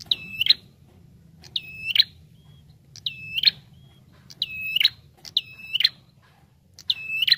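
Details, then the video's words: Persistent Bar-winged prinia calls used for luring birds: six piercing, high whistles, each a short level tone ending in an abrupt upward flick, repeated roughly every 1.2 seconds over quiet low hum. "SUARA PIKAT Burung Prenjak Tamu Gacor"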